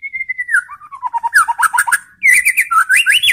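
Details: White-rumped shama challenge song to provoke other shamas: a long descending whistle, then scratchy rapid notes, a brief gap, and a lively series of looping, rising and falling whistles.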